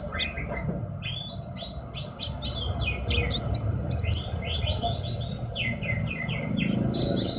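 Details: Branjangan, or Horsfield's bush lark, kept by a bird hobbyist, delivering a varied stream of rising and falling whistled notes and chirps, fairly continuous, over a low rumble.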